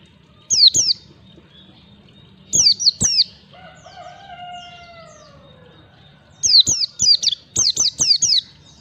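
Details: White-eye (pleci) 'ngalas' lure song for training young birds in 1, 2, 3 beats: sharp falling whistles in pairs, then rapid runs of six, while a rooster crows in the background.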